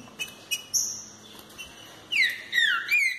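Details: Green-winged saltator in fibra song: faint high thin notes at first, then a loud closing phrase of three ringing whistles, each dropping steeply in pitch, with rich overtones.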